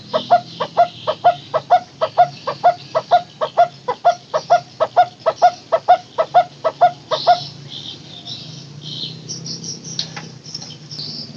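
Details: Takur teguk teguk barbet used as a lure for barbets gone silent: a long run of regular, hollow, knocking notes repeated about twice a second for seven seconds, then quiet with faint high background sounds.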